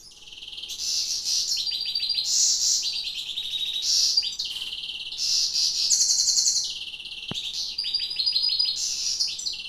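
A European goldfinch sings a fast, continuous run of tinkling, twittering notes with buzzy trills, high-pitched and jumbled, with no other sounds.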